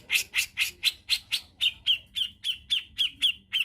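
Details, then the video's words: Grey-cheeked bulbul (cucak jenggot), a tutor bird meant to provoke other birds: steady rapid chatter of about fifteen notes, four a second, starting as broad rasping bursts and shifting to tighter, sharper chip-like notes. "PANCINGAN HEBAT BURUNG MASTERAN CUCAKJENGGOT"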